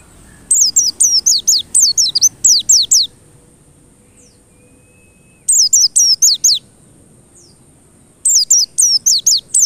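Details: White-eye song serving as a lure to spur white-eyes into sustained singing: three bursts of rapid, high-pitched, down-slurring whistles, each lasting one to two and a half seconds, with quiet gaps between.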